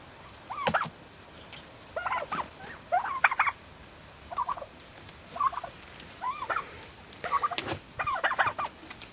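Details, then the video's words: Young turkeys almost six months old calling: short, rising yelps and chirpy notes in quick clusters of two to four, about ten bursts scattered over nine seconds, with a few sharp clicks or knocks between them. "Baby turkeys making turkey sounds!"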